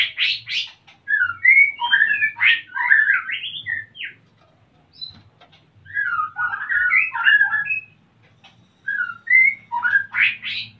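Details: Male white-rumped shama ready to breed and asking to mate, female busy nest building, Salaman, Magelang, Central Java; three bursts of rapid varied whistled and chattering phrases, with pauses between, over a faint low hum.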